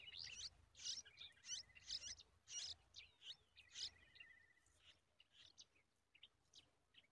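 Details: Yellow-tailed bulbul at the nest, feeding its nestlings a large spider; bursts of high, squeaky chirps about every half second, with a thin level whistled note running beneath some of them, fading toward the end.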